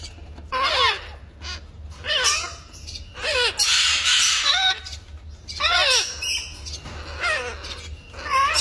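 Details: An African grey parrot chick being fed by its mother gives repeated harsh, wavering squawks in bursts about every second or two, with pauses between; a low steady hum underneath.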